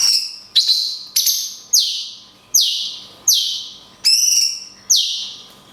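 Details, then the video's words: Cungkok giving a rapid series of 'tembakan kunti panjang' shots, used to train songbirds: about nine loud, high whistles sliding downward, spaced under a second apart, one ending in a warbled ornament. Faint hum in the background. "CUNGKOK TEMBAKAN KUNTI PANJANG - JEDA ALAMI"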